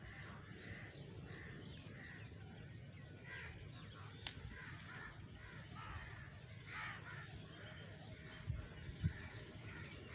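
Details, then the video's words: Distant crows cawing in scattered harsh bursts over a constant low hum, with a sharp click partway through and a few thumps near the end. "crows || crowing sound"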